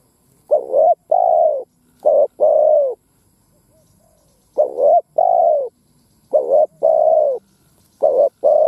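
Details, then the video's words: Spotted dove used as a ground lure, cooing to provoke wild doves into fighting: four low, mellow coo phrases, each of two or three rounded notes, repeated about every two seconds, with a longer pause midway. "Tiếng Chim Cu Gáy mồi đất gáy kích bổi"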